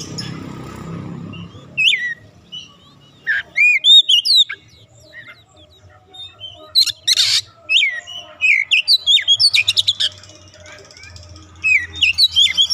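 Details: Oriental magpie-robin, a 'bahan' bird that starts singing 'gacor' readily, mixes sweet slurred whistles, a harsh buzzy squawk and rapid repeated chatter across several phrases with short pauses.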